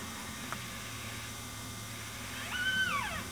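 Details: Wild yellow-tailed black cockatoo in Blue Mountains National Park near Glenbrook, New South Wales: a single drawn-out wailing call that rises, holds, then slides down, over a faint steady background hiss.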